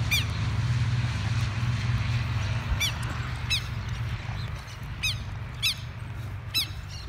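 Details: Southern lapwings swooping low to intimidate someone removing their chicks from a field. About seven sharp, harsh, ringing notes, given singly and in quick pairs, sound over a steady loud low rumble of wind or an engine.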